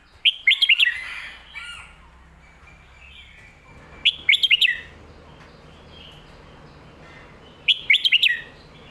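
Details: Red-whiskered bulbul performing the popular phat kuay tiao or mae bot song style. Three short phrases of rapid, bright whistled notes, each about three and a half seconds apart, with soft warbling between them.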